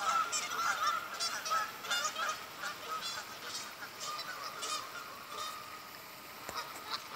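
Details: Geese flying in at sunrise in October 2019 at Glazebrook Park, Godfrey, Illinois: many overlapping nasal honks repeated irregularly, loudest at first and fading toward the end, with steady background hiss.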